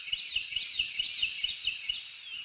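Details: Young bald eagle nestling NE22 at a northeast Florida nest begs in the morning with thin, high chips, about four or five a second in an even run, over soft low thumps.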